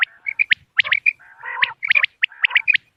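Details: Common quail lure calls for moonlit-night hunting. Short high chirps and paired notes are interspersed with a lower, nasal, drawn-out rasp mid-clip.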